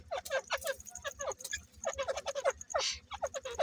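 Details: Grey francolin breeding pair: strings of short, harsh, sliding notes in quick succession, a thin high ticking running through, and one broad hissy burst near the end.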